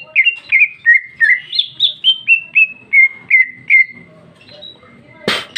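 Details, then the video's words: Female cucak ijo singing openly and loudly, richly varied; about a dozen clear whistled notes stepping up, then gently downward at a steady pace, ending with a sharp knock. "Cucak ijo betina paling gacor ngeplong isian super mewah"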